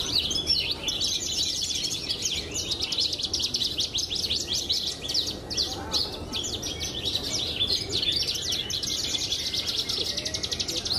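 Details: Pied Javan bush lark kept for song contests pours out eleven seconds of dense, high, buzzy trilling with rapid repeated notes, faint voices and noise underneath.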